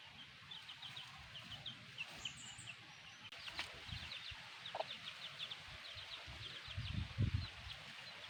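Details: A black mother hen with chicks: steady clusters of high, downward-slurred peeps from the young, a single lower cluck midway, and low thumping rustles toward the end.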